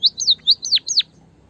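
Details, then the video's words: A brief burst from a white-headed munia (bondol haji) lure recording meant to rouse lazy singers: half a dozen high, bright notes, the last few bending sharply downward, then quiet. "pancingan emprit kaji malas bunyi biar gacor"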